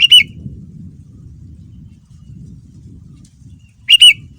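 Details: Sooty-headed bulbul, described as a very active singer, gives two brief, bright whistled phrases of a few slurred notes, at the start and near the end, over a low rustling background.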